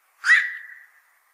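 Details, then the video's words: A single black-crowned night heron gives a harsh, raspy squawk that trails into a thinner, steady tone and fades within a second; these herons eat heavily from fishponds. "BLACK CROWNED NIGHT HERON CALL SOUND"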